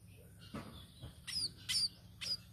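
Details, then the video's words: Three short, piercing, high chirps from a tame sparrow, spaced about half a second apart, after a couple of soft thuds, with low hum behind. "BURUNG PIPIT"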